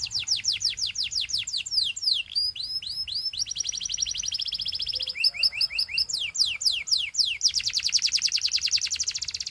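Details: Belgian canary song used to tempt other canaries to sing: long varied phrases of quick descending sweeps, clipped upslurred notes, a steady buzzy roll, then fast steep swoops and a closing rapid high trill.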